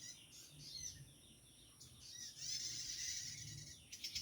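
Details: Prenjak tamu, a prinia, heard in the wild where many remain: scattered thin chirps give way to a sustained, rasping high trill lasting nearly two seconds, then a few sharp notes at the end over low background hum.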